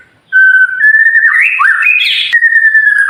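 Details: White-rumped shama tutor song for birds that have stopped singing: one long clear whistle that climbs in steps, breaks into a rich warbled flourish at its peak, then drops back to a steady held tone.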